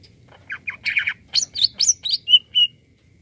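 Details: Greater green leafbird singing vigorously, used to stir up other birds: a fast run of varied chirps, slurred whistles and rising and falling notes, ending in two clear level whistles.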